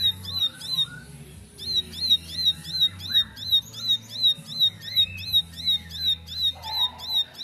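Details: A bar-winged prinia that had been mute answers at once, firing off its song: crisp, high, downward-flicking chirps in a long regular series, roughly three per second, with a soft low background hum throughout.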